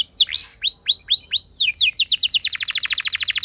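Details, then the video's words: Lure song of a canary to get other canaries singing: a run of looping down-and-up whistled notes, then accelerating into a dense, fast rolling trill of repeated notes. "Cukup Putar Sebentar Saja Burung Kenari Lain Bakal Langsung Ikut Gacor Ngerol Mewah Dengan Pancingan"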